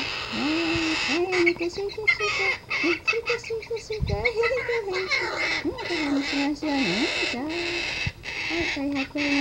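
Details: Captive umbrella cockatoo chick giving harsh, nasal, wavering cries, drawn out and nearly continuous with brief pauses, rising and dipping in pitch, recorded close up indoors.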